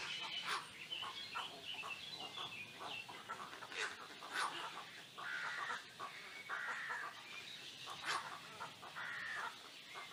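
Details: A Great black-backed gull on the seafront promenade of Noia and Taramancos beach, Ría de Noia, Galicia, gives deep, hoarse, nasal calls about once a second, some drawn into short wails, with sharp clicks and a steady hiss.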